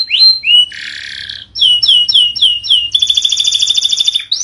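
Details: Varied canary song meant to train birds that stopped singing: a rising whistle, a harsh buzzy burst, a string of five swooping notes, then a fast vibrating trill ending in a brief upward note.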